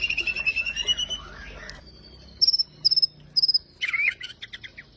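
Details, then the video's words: Energetic White-rumped shama song: a quick whistled warble, then after a pause bursts of piercing high double notes repeated about every half second, closing with a tumbling cluster of bright chirps. "Suara Gacor Murai Batu Jawara"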